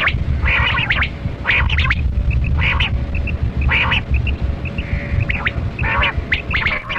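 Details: Kali kirak batera quail during a hunt: loud buzzy chirp bursts about once a second, with short soft tonal pips from another bird between them and heavy low rumbling noise.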